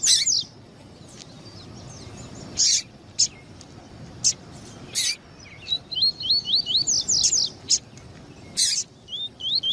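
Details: Double-collared seedeater, male and female calling to warm up a male bird: sparse loud chips over several seconds, then a quick series of looping high whistled notes repeated rapidly.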